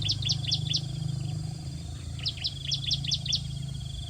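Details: Bar-winged prinia nestlings begging hungrily as a parent feeds them. Two quick runs of five or six high, thin chirps, each dropping sharply in pitch, with a pause between runs over a low background rumble.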